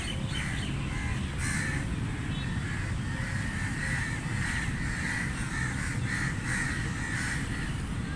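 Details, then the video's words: Crow cawing in a long series of coarse, drawn-out calls, a few spaced out at first and then coming in quicker succession, with heavy low-pitched background noise throughout. "Crow Sounds Loud | Crow Caw Sound Effect | Crow Sound Effect"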